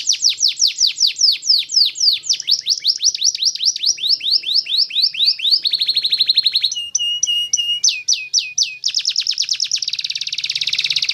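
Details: Vigorous caged canary song: rapid rolling trills of falling whistled notes, then a dry fast rattle, a metallic chopped phrase, and dense buzzy high trills, phrases changing every second or two, no other sounds.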